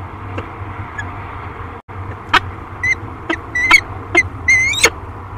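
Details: Peregrine falcons, a pair at their Great Spirit Bluff nest on camera, 13 March 2022, giving a cluster of sharp, clipped calls that come faster toward the end, above continuous low background rumble.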